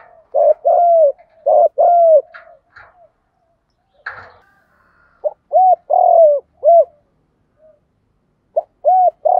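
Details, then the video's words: Spotted dove fighting coo for luring wild doves; clusters of paired mellow hooting notes, short then long and falling, separated by pauses, with a brief rustle and faint chirps between groups. "Tiếng chim cu gáy GÙ Đấu cực chuẩn để kích bổi mới"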